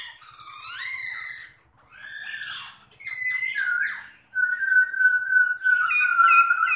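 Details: Caged Chinese hwamei singing while spreading its wings in a dancing display: sweeping whistled phrases and rich slurred notes, then a long steady clear whistle held for over a second, followed by bright trilled notes.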